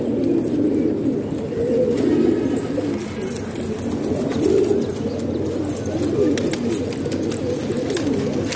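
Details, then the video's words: Several pet pigeons kept indoors in Pakistan cooing steadily, soft throaty burbling notes overlapping one another without pause, a few sharp taps and rustles above. "Pigeon Sound"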